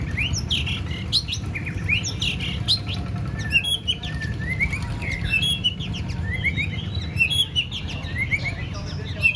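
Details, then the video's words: White-rumped shama trained for a singing contest, continuous varied song of rising slurred whistles, chirps and sharp clicks over a constant low hum. "Kích lửa chuyền đấu hót solo sàng cầu rực rỡ"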